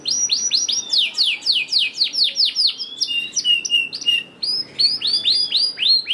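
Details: Canary song for coaxing lazy canaries: series of loud downward-sweeping notes, a steady whistled tone, brief pause, then more repeated sweeping notes.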